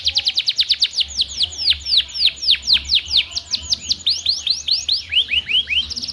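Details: Pet canary in full song, used to coax quiet canaries into singing; long series of quick descending whistled sweeps at a steady fast pace, closing with a few slower rising notes.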